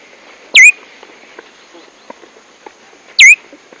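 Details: Tumba yegua, also called tico-tico, giving two loud, sharp slurred chirps about two and a half seconds apart, each dropping then flicking upward, over faint scattered clicks and rustles.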